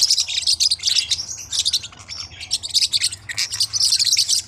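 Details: Quick clusters of sharp, high chirps from small hook-billed Forpus parrotlets, coming in bursts with short gaps between them over a faint low hum.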